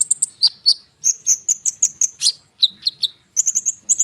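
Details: Lure song of a konin bird meant to provoke sunbirds: a rapid chain of piercing high whistles and chirps, clustered in quick runs with a short gap before a final fast series.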